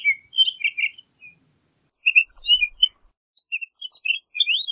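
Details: Townsend's solitaire song as scattered, jumbled warbled phrases of quick, slurred notes with short gaps, ending in a rising swept note. Quiet background.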